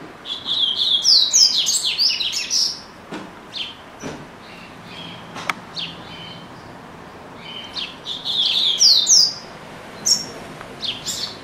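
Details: A pet double-collared seedeater sings long, fast twittering phrases of high sweeping notes at start and end, with sparse chips and a few knocks in between.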